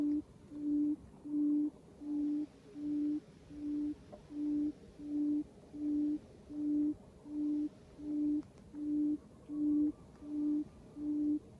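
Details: Quail in Cambodia, lured with a decoy bird: an even series of low, hollow hoots, each about half a second long, repeated steadily almost every 0.75 seconds, about fifteen notes in total.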